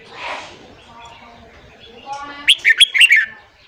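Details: Morning song of a red-whiskered bulbul, used to train and excite newly caught wild birds: faint twittering first, then a sharp burst of five quick, ringing whistled notes near the end.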